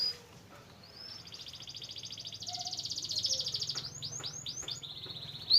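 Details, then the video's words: Canary song used to prompt a silent canary into singing. After a quiet start, a softer sustained rattling trill builds, then a few separate downward-sweeping notes and a short steady whistle. "Pancingan Burung Kenari Males Bunyi Agar Gacor Lagi"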